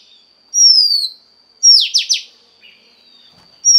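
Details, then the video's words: Oriental magpie-robin, female, calling to stimulate the male: a loud clear whistle gliding downward, then three buzzy downslurred notes in quick succession, with another whistle starting at the end. "Choè than mái kích trống hay nhất"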